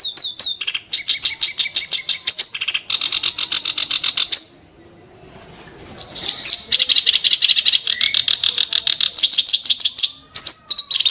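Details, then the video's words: Kerak basi singing sharp, harsh 'tembakan' bursts: rapid scratchy chattering notes repeated in dense runs, with whistled high notes early on and a short pause near the middle. "burung KERAK BASI tembakan tajam & kasar"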